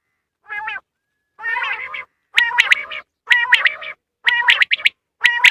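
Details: Quail calls used as a lure for catching quail in hunting: grating, harmonic notes, then loud sharp clipped notes in quick bursts of two or three, roughly once a second, with silent gaps.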